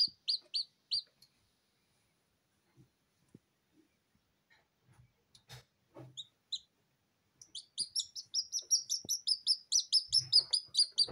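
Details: Freshly hatched Silkie Serama chicks crying outside the incubator without a mother hen: a few high peeps, then soft rustling and handling noises, followed by a fast run of shrill repeated peeps.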